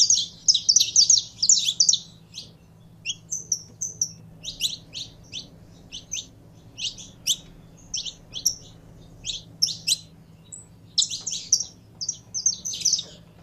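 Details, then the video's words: Kept saffron finch warming up. A rapid opening flurry of high chirps gives way to separate sharp notes at irregular intervals, with a few tight clusters later. A quiet low hum is steady underneath. "Canário da Terra Esquentando em 3 2 1!!!"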